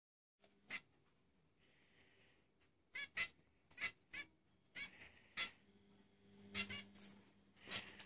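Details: Zebra finch giving short, nasal, harmonic-rich calls spaced irregularly about once a second, some doubled, over a quiet indoor background with a low hum.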